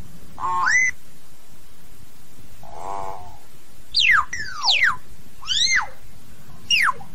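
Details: Hill myna calling its flock with a mix of sounds. A quick rising whistle is followed by a coarse, buzzy squawk. Then comes a run of loud, clear whistles swooping down and up, with steady low rumble behind.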